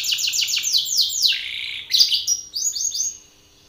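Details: Belgian canary male belting song into a rival's face: loud cascading falling whistles in a quick run, a sharp click-like burst, then softer high notes trailing off into silence.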